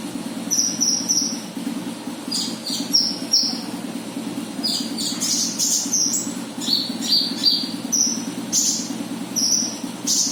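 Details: Konin bird calling as a lure: quick high-pitched chirps and paired notes in irregular bursts, some rapid runs, against a constant low droning hum.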